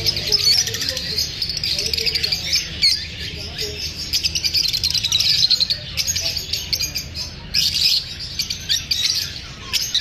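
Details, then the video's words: Lovebirds chirping after feeling unsafe while being filmed: a dense, continuous chatter of high, sharp chirps and short squeaks from many birds at once, in bursts with brief lulls. "Love Birds | The sounds of parrots after feeling unsafe."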